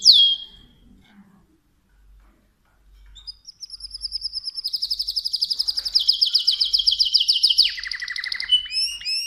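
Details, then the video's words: A mosaic canary sings a high, rapid run of repeated chirps that speeds into a dense trill, then drops into a lower rattling roll and ends with bright whistled notes. "تغريد كناري موزاييك Chant de Canari Mosaïque"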